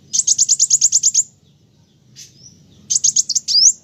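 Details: Kolibri wulung, the olive-backed sunbird, singing steadily: about ten quick, high, sharp notes in a row, a pause with a faint thin whistle, then a shorter run ending in an upward slur.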